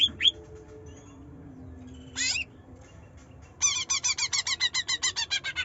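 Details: Greater green leafbird of the trotol type, singing to coax a lazy bird into singing: two quick chirps and a short harsh squeal, then a long, even series of loud ringing notes, about three each second.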